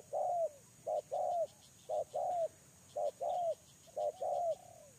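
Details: Spotted dove used to lure others, calling in neat couplets: a short abrupt note and a longer downward-curving coo, repeated five times at about one-second intervals, over faint insect pulsing.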